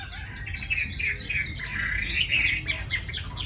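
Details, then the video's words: Hand-tamed Chinese hwamei caged in Hanoi, Vietnam, a willing singer: a hurried stream of scratchy, slurred whistles and chattering notes, somewhat masked by rumbling background noise. "Mi thuần cb98123 giọng rất hay mau mỏ"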